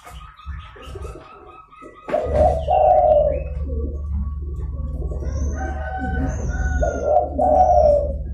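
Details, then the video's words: Zebra dove call for luring wild doves: a low hum first, then two rolling, burry coo phrases, each a second long, with faint high whistles from other birds between them. "DERKUKU GACOR (DERKUKU PIKAT)"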